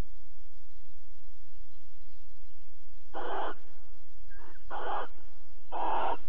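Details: Barn owls at Alphen, 22 April 2020, mating and cuddling at night: three loud, broad, harsh hissing screeches of about half a second each, clustered in the last half of the clip, over a steady low hum.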